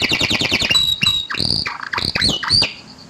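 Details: Canary song used as a lure to get a canary that has stopped singing to sing: fast repeated trill notes, then clipped whistles and rising buzzy slurs ending in a bright high note.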